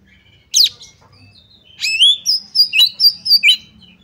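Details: Oriental magpie-robin song used as a lure to provoke another bird into fighting and tail-spreading. After a sharp downward note, a series of about seven clear, high whistled notes follows in quick succession. The background is quiet.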